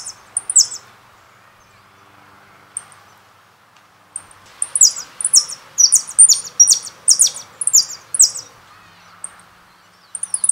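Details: Jilguero song from a CD: an opening high phrase, a pause with scattered chips, then about five seconds of rapid high-pitched twittering and sharp falling buzzy notes, resuming briefly at the end.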